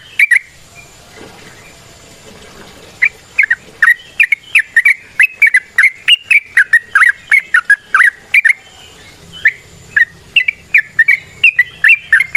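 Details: Wild trucukan, the yellow-vented bulbul, in long rapid song used as a lure: after a quiet start, a lively, nearly continuous stream of sharp, slurred chirps, varied in pitch, runs for about nine seconds.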